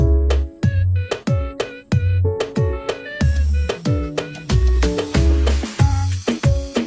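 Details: Rhythmic drum-driven music with sharp repeated percussion hits and a deep bass beat, growing busier halfway through; no animal voices can be picked out.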